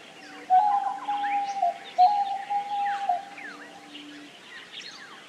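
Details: Diamond dove giving long, level coos, each held about a second and dipping slightly at the end, with a lower soft tone below, amid a busy background of chirping birds.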